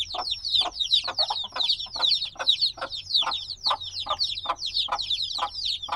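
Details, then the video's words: Several black chicks only days old, still needing warmth from the mother, keep up a busy chorus of high, thin, downward-slurred peeps, many overlapping, with a stronger peep roughly twice a second. "Baby Chicks Sounds - Baby Chicken Chirping Noises"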